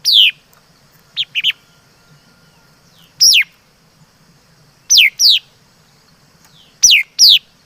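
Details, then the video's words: Laughingthrush, called chim mi đất in Vietnamese, singing clearly: loud paired whistles sliding steeply down from high to mid pitch, with a few shorter notes, the phrases coming every second or two over a quiet low hum. "Suab Noog Ncuas Quaj Zoo || Tiếng Chim Mi Đất Hót Chuẩn"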